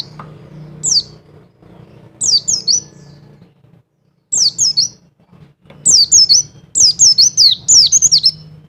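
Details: High, thin chirps of a Wilis mountain white-eye double call meant to raise a male's mating drive: falling notes in pairs, building into a rapid run of repeated notes near the end, over a faint low drone.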